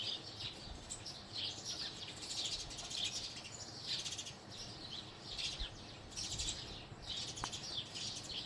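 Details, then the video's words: House sparrows keep up a continuous chirping chatter, bright high notes tumbling over one another, with a faint click heard toward the end. "House Sparrow Chirping | Sparrow Chirping Sounds"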